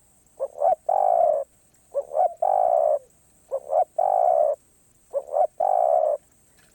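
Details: Spotted dove singing in the karam pa roi style: a steady cooing phrase of two short rising notes and a long, full, level coo, repeated four times about every 1.6 seconds over a faint constant high hiss.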